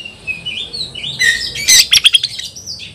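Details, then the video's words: Oriental magpie-robin singing against a rival in a contest, konslet style: a short passage of thin gliding whistles, then a loud burst of harsh, crackling notes and a few quick chips. "kacer gacor ngobra KONSLET nembak lawan tarung"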